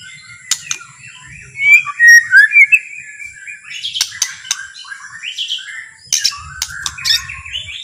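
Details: White-rumped shama, or murai batu, singing slowly to provoke rival shamas into song. A burst of bright, quick whistles, then softer warbled phrases, with clicks and sharp ticks throughout.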